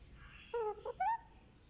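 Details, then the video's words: One-month-old Indian ringneck parakeet chick getting a head massage gives three soft, tonal squeaks in quick succession: a drawn-out falling note, a short blip, then a rising-and-falling note, all quiet against a low background hum. "Candy makes sweet sounds"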